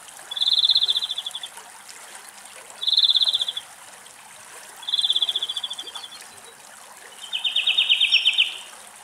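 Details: A European greenfinch (Chloris chloris) in Greece sings four rapid, high, buzzy trills about every two seconds, the last louder and fuller, over a steady trickle of water.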